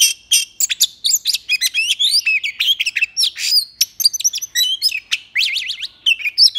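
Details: Oriental magpie-robin singing in a contest in the early morning, 9 January 2021: a fast, rich stream of varied high whistles, upslurs, trills and sharp chips with hardly a pause.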